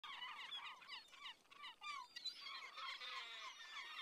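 Gulls giving harsh, nasal, down-slurred calls, several birds overlapping in a rapid, uneven chorus of short squeals.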